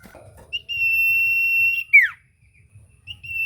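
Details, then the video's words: A common iora singing eagerly, serving as a lure to start a silent iora singing: one long flat whistle over a second long, closing in a steep downslur, then a second whistle begins. "Burung sirtu cipoh gacor pancingan ampuh bikin cipoh macet bunyi langsung nyaut"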